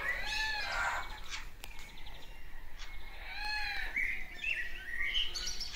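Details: A Crimson Rosella at a Danish bird zoo on 11 July 2021, interacting with a person, gives two drawn-out, nasal, arching calls, then a run of clear, bell-like whistled notes rising and falling over the last two seconds.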